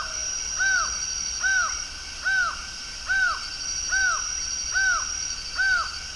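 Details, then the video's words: Laughing falcon singing before dawn on 27 October 2023 in Brasília, Brazil: a steady series of arched, downslurred notes with a harmonic, about one every 0.8 seconds, over a constant high insect drone. "Acaua cantando"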